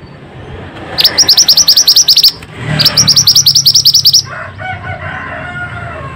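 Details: Pied bushchat singing vigorously, played to coax silent or stressed birds into song: two fast bursts of high, sharp, rising chips, each run over a second long, separated by a short pause, followed by fainter chatter.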